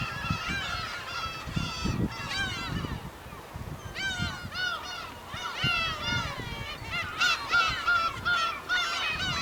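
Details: Dense chorus of 100+ black-tailed gulls at a harbour in Hokkaido, Japan, recorded August 2010: many harsh, wailing mewing calls overlapping continuously, rising and falling, crowded bursts near the end, over low background rumble.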